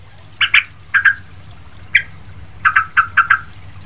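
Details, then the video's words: Lively Sooty-headed bulbul recorded for teaching other bulbuls, giving double chirps, a single note, then a quick series of five downslurred notes over faint hum. "trucuk ribut gacor buat masteran trucuk lain"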